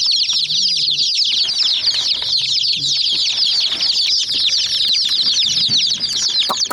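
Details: Young hen chicks mob a small white toy jeep. Their shrill peeps pour out in an unbroken, busy chorus of quick chirps overlapping one another, and faint low rustling sits beneath.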